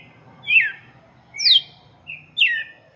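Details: Red-cowled cardinal song meant for chicks: three slurred, downward-sweeping whistled phrases about a second apart, with a faint low hum beneath.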